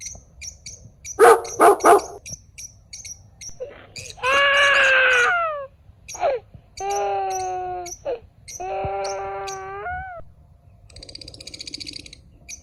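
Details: A pet white lutino cockatiel, one of a pair, gives harsh squawks and long, harmonic-rich whistled calls, some rising, over faint repeated chirps.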